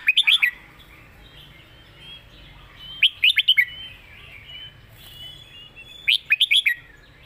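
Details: Red-whiskered bulbul kept as a competition singing bird, with clear phrasing in the 'phleng mae bot' master song style. Three quick bursts of four to five bright, warbled notes come about every three seconds. Softer chatter from other birds fills the gaps.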